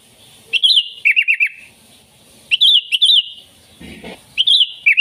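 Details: Sooty-headed bulbul song meant to attract wild bulbuls: lively looping whistles and quick descending note runs in bursts, with a brief low thump in the middle.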